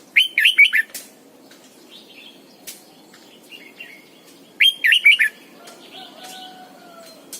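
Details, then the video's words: Decoy red-whiskered bulbul kept in a cage sings its morning double-note mature wild song: two near-identical fluty phrases of four to five rolling notes, with soft twitters and a low whistle between. "luyện chào mào mồi hót sáng cực hay, ép chào mào hót âm kép già rừng hay tuyệt!"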